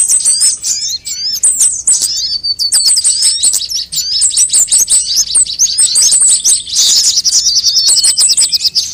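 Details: Mixed sunbird sounds used to lure birds and spur them into song: sharp, high, tinkling chirps repeated quickly in dense runs, with short metallic trills and a louder twittering burst late on.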